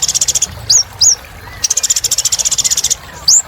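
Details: Kolibri ninja sunbird singing hard: a fast pulsed high trill, two sharp upslurred whistles, then a longer even trill and a final rising whistle, over faint low rumble.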